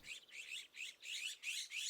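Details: Iberian magpies (Cyanopica cooki) in Sierra de Andújar, Spain, give harsh, excited alarm calls, about six scratchy high bursts in under two seconds, on just seeing a predator, an Iberian lynx, wanting it gone.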